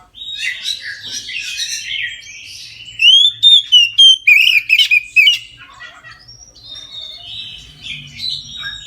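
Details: Oriental magpie-robin giving full song at midday as a prompt for other magpie-robins; scratchy mixed warbling leads into a loud run of six clear slurred whistles, followed by quieter drawn-out whistles and chatter.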